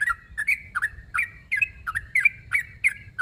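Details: Rival-calling sooty-headed bulbul giving rapid chirpy phrases, each a quick downward flick then a brief clear whistle, about three per second, with a soft low rumble underneath.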